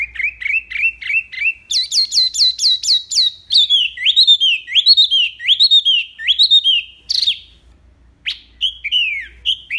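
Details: Wambi mini singing loud, clear, varied song used as a master recording: rapid rising chirps, then a run of high downslurred notes, then sweeping whistled phrases, a brief pause and a few final chirps.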